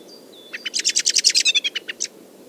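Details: A common blackbird muttering quiet subsong in a Moscow park in early spring breaks into an alarm call: a thin, high whistle, then a loud run of about a dozen sharp, clipped chinks at roughly eight per second.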